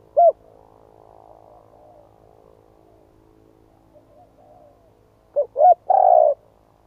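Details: Spotted dove: a single hooted coo, a stretch of faint soft murmuring, then two quick coos and a long buzzy descending coo, over a low hum.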